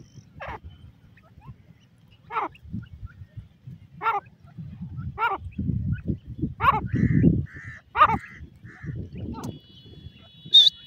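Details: Female grey francolin in a Pakistan forest, early morning, playing: loud harsh vertical call notes repeated about every two seconds, with brief whistled tones and low rustling or handling noise between them.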